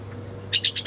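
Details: Several birds chirping while feeding at breakfast time: four short, bright chirps come in quick succession in the second half, about a tenth of a second apart, over a steady low electrical hum.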